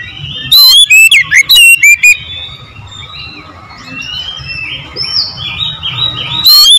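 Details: Oriental magpie-robin: a short loud burst of sharp, rapid whistled notes and slurs, then softer scattered chirps and twitters, ending with another brief piercing whistle.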